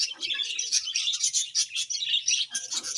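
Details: Pet budgerigars pouring out steady, rapid morning chirping, a dense, high-pitched chatter of overlapping twitters with no pause.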